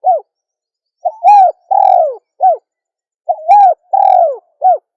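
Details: Female spotted dove cooing: a short note, then a quick double coo and a long falling coo, followed by a brief closing note; the phrase is given twice with silence between.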